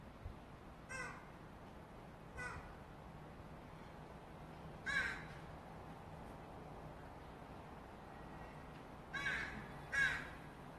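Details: Fledgling Northwestern crow begging for food from offscreen: five faint, harsh, rasping calls spaced irregularly, a pair near the end close together, over a steady low background hum.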